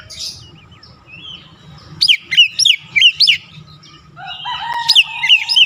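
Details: Stimulating song of an Oriental magpie-robin for a caged bird that has stopped singing: four quick up-down whistled phrases repeated rapidly, then a denser burst of warbled notes, over steady low hum.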